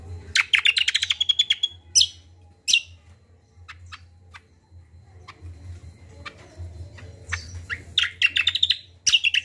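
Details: Kacial, or common iora, singing a varied combo: a fast burst of repeated high notes, two sharp single chirps, quiet spaced ticks, then another lively cluster of rapid bright chirps to finish.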